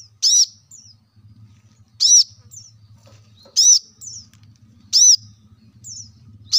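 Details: Plain-throated sunbird (kolibri kelapa) recorded to stimulate caged birds into singing: strong high chips every one to one and a half seconds, each followed by a soft descending twitter, with a low hum in the background.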